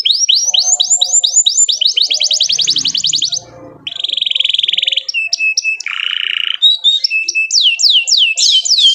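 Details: Canary song used to trigger other canaries into singing, opening with fast falling swoops into a rapid trill, a short gap, then buzzy rolls, a lower harsh burst and more swooping notes.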